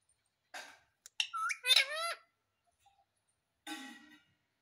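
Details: Pet Indian ringneck parrot, called a talking parrot, gives a few clicks, then a cluster of bending whistled and squeaky notes, and after a pause a short rough squawk.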